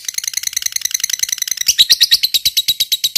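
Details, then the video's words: Lovebird of fighter type in long ngekek song: a rapid string of rasping, squeaky notes, about three a second, growing louder and more strident in the second half. "Masteran SANGAT JITU BIKIN LOVEBIRD CEPAT BUNYI, Lb Fighter Ngetik Ngekek Panjang"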